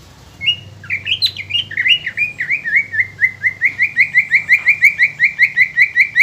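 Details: Cucak ijo, the green leafbird, in lure song aimed at making other birds sing: varied whistled slurs give way to a long, regular run of bright repeated chirps, about three each second, over a low background hum.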